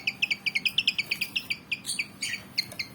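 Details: Javan fantail, a black-and-white bird about 19 cm long, described as persistent and eager to fight; quick series of short, sharp high chirps, roughly four to five per second, with a few buzzier notes mid-clip and faint background hiss.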